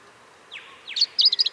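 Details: Australian pink robin song: two sharp descending whistled slurs, then a rapid run of high, chirping notes in quick succession, the last ones pulsing about five times in half a second over quiet background.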